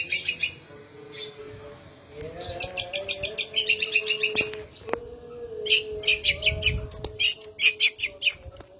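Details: Long-tailed shrike song with imitations of sparrow and kingfisher: separate bursts of fast, high, scratchy chirping series with short pauses between, a few sharp clicks and a low steady hum underneath.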